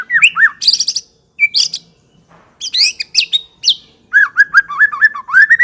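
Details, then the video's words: White-rumped shama in loud varied song: clustered high buzzy notes, swooping whistles, brief pauses, then a quick series of repeated looping whistled notes. "kicau/suara Murai batu gacor | murai Batu ngekek"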